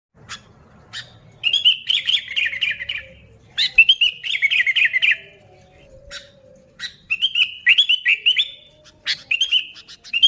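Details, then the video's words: Sooty-headed bulbul, vigorous chattering song used to lure other bulbuls: bubbly warbled phrases lasting one to two seconds, each separated by short pauses, with sharp dry clicking notes scattered through. "Suara Burung Kutilang Gacor ASLI Tanpa isian, Ampuh untuk Pikat Kutilang"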